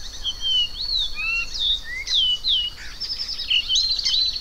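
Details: Variable oriole singing a run of loud, sweet whistled phrases that mostly slur downward, spaced about half a second apart, then a brighter warbled ending over a constant high insect hum.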